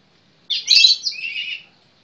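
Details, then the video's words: Kacer, the Oriental magpie-robin, giving one dense, harsh, chattering phrase lasting just over a second, starting bright and dropping slightly lower toward its end. "suara burung kacer"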